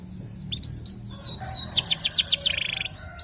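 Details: Local canary lure song: scattered thin whistles building into a run of quick downslurred notes, followed by a short buzzy rattle.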